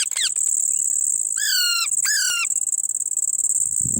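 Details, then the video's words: A young parrot, possibly a ringneck, gives two harsh, slightly falling squawks about half a second apart, over a loud, steady, high insect-like hiss. "baby parrot calling"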